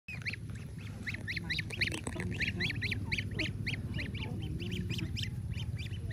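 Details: A flock of crossbred Lion Head geese, the first batch of the season, honks in rapid, overlapping nasal bursts over a low background rumble; the finding is Swan goose.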